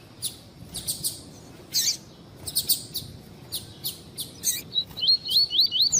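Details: Esquentar warm-up song of the coleiro tui tui (double-collared seedeater, fibra line), sought by tournament breeders. Irregular sharp high chips and short bursts, ending with a string of quick slurred whistles.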